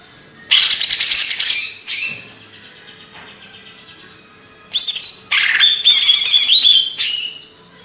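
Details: Greater green leafbird of Banyuwangi, Indonesia, singing two loud bursts separated by a pause: harsh buzzy chattering first, then a fast stream of sharp high chirps mixed with clear whistled slurs.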